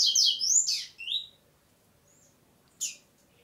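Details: Double-collared seedeater singing only in the 'prego' song style: a quick burst of high, slurred whistled notes lasting about a second, then a pause and one short, sharp high note near the end.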